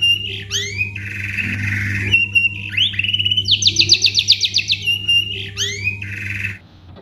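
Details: White-rumped shama giving gacor full isian song as a lure for other birds: quick rising slurs, a buzzy sustained note, and a rapid ringing trill of about a dozen notes. A low hum lies beneath.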